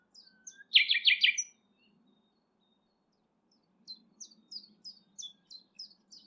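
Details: A singing nightingale at Thurrock Thameside Nature Park, recorded on a Panasonic GH6: a low whistle, a loud, rich rattling burst, a pause, then a steady series of short rising high notes about three per second, with faint low rumble.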